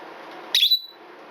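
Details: Twelve-year-old female red-bellied parrot, a household pet, uttering a single short, shrill, high scream likened to a smoke alarm beep, a piercing double-peaked note lasting about a quarter second over quiet room background.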